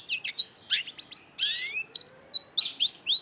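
Long-tailed Shrike pours out a fast, varied jumble of high chirps, buzzy slurs and rising whistles, several notes each second with short pauses.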